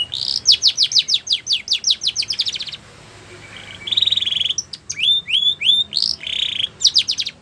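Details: Belgian canary giving quick falling whistles in a long run, a quiet gap, then a buzzy trill, upward slurs and short rattling rolls.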